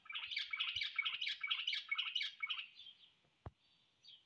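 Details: Common blackbird singing: a continuous run of warbled, scratchy twittering phrases for about three seconds, then quieter trailing notes and one sharp knock.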